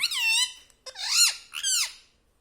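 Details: Pet parrot talking indoors in a small room, saying "mummy" and "papa": three nasal, voice-like harmonic utterances, the first level and drawn out, the next two rising then falling in arched glides, with short pauses between.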